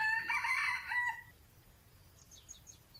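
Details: Wild Red Junglefowl crowing while perched in forest trees. One rich, harmonic crow of just over a second opens the recording, followed by quiet high chirps from small birds in the forest ambience.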